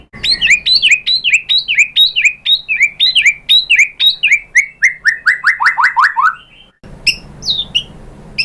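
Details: White-rumped shama song played as a lure to make other birds sing: loud rapid series of slurred descending whistles repeated several times a second, then a short pause and sharper high notes.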